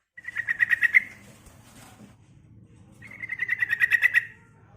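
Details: Female yellow-vented bulbul calling for a male: two bursts of rapid, rattling notes about two seconds apart, over a steady low hum in the background.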